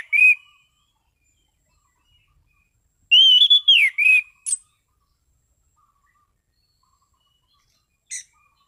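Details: Orange-sided thrush singing a relaxed but prolific clear song: a lone whistle, a long silence, then a rapid phrase of rising and falling whistles with a sharp high note, and one brief high chip near the end.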